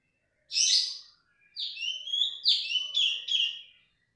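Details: Female cungkok, loud and unrelenting: a harsh, broad burst opens, then after a short gap comes a series of five downslurred whistled notes repeated at an even pace.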